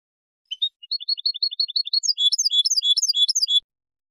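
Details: European goldfinch song on a tutoring recording for young goldfinches and hybrids: a continuous three-second stream of bright, tinkling twitters, starting with evenly repeated notes, then becoming denser and higher, with a clean, quiet background.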